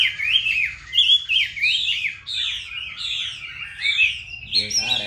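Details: Chinese hwamei from Hanoi, noted for its fine voice, singing loud, clear whistled phrases that slide up and down in quick varied runs, with a short harsher burst at the end; faint low room hum beneath.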